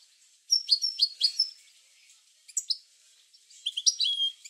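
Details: European goldfinch song for stimulating goldfinches to sing: short bursts of high, sweet, slightly buzzy twitters separated by quiet gaps, with a final phrase of clear descending whistles.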